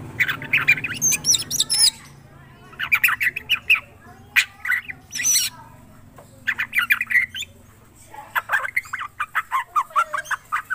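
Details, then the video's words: Lively drongo song of harsh squawks and scratchy chattering bursts in clusters, with short sharp whistled notes between them and brief quiet gaps of about a second. "Srigunting krantil gacor"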